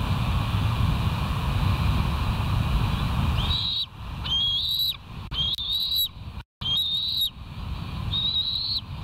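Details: Bald eagles at the West End nest, live nest camera, 13 August 2023 at 07:36; five thin, high whistled notes, each sliding upward then leveling, spaced about a second apart over steady low wind rumble.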